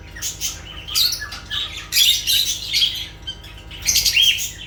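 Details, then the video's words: Lovebirds in noisy chatter: harsh, buzzy squawks and shrill chirps in dense bursts, near-continuous over nearly five seconds with brief gaps, sounding like a small room. "Sounds of lovebirds"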